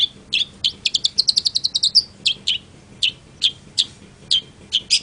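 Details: Long-tailed shrike: a rapid, even trill of high sharp notes, then slower separate emphatic chips spaced about every half second, crisp against a quiet background.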